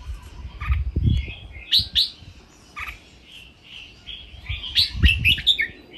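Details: Red-whiskered bulbul in a cage, singing for song training: several quick warbled, whistled phrases and chirps run together, alongside low thumping knocks and rustling.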